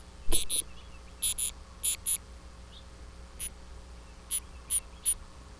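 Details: Titmouse in a tantrum, recorded live: sparse raspy notes, mostly in spaced pairs, each starting with a sharp high tick, about ten notes over five seconds, with a soft hum and low rumble behind them.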